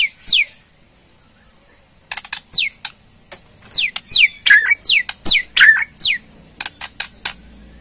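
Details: White-rumped shama, Borneo type, in provoking ketrekan: crisp clicks mixed with repeated downslurred whistles roughly two or three per second, after a short pause.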